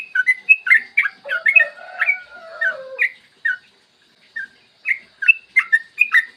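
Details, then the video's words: Yellow-vented bulbul song recorded in the morning as a lure for other bulbuls: chattering chirps mixed with lower whistled slides at first, then a pause and scattered bright notes. "Masteran trucukan gacor ropel panjang cocok buat pancingan trucukan agar cepat bunyi dan ropel"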